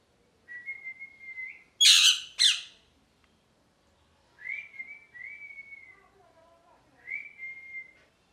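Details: Parrot mixing long, clear whistled notes that slide slightly upward and hold steady with two loud, rough squawks in the middle, in a quiet indoor setting.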